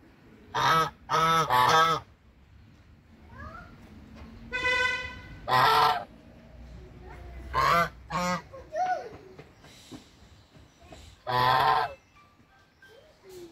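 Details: Hungry brown Chinese geese honking: loud nasal honks in quick pairs and singles, spaced by a few seconds, with one long drawn-out harmonic call midway and softer squeaky notes between.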